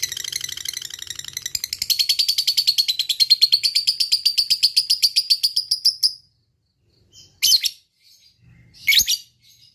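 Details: Lovebird in fighting mood giving long ngekek chatter: rapid harsh notes repeated about six per second for six seconds, slowly rising, then silence and two brief sharp shrieks.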